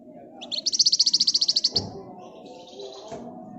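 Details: Flamboyan bird's gacor ngebren nyerecet song: a dense, quick run of roughly fifteen high piercing notes rising to a ringing trill, then faint thin chatter and a low background hum.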